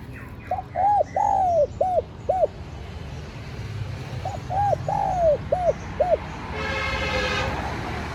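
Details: Lure call of a spotted dove, used to draw in wild doves and push caged birds to coo: two matching phrases of short hooted notes around one long falling coo, separated by a pause, with a rumble of traffic near the end.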